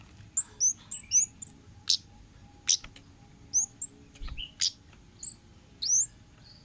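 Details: Orange-headed thrush in the wild-style 'ngalas' manner, used as a tutor and lure recording for cage birds: sharp high chirps and quick downslurred whistles, loosely spaced, broken by a few dry clicks over a faint steady hum.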